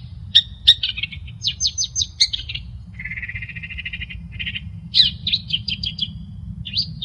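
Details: Varied long-tailed shrike song kept as a training master for other birds, with sharp clicks, quick chirp series, a buzzy rattling trill in the middle and more rapid chirps near the end, over a faint low hum.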